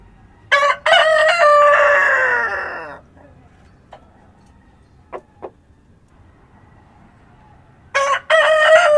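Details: Dawn crowing of a farm rooster in the countryside. A complete crow rises from a clipped first note into a long, falling, trailing phrase. After a few faint clicks in a quiet gap, the next crow begins.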